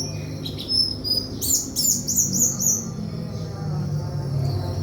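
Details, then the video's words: White-throated flycatcher giving a few short high chips, then a quick run of bright warbled notes descending slightly, fading into steady low background noise. "sikatan kerongkongan putih"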